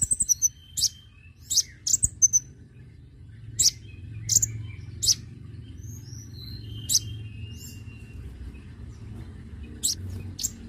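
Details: Konin bird call played to attract birds: irregular single high-pitched chirps and short thin whistles, a few clustered near the start, over a constant low background noise.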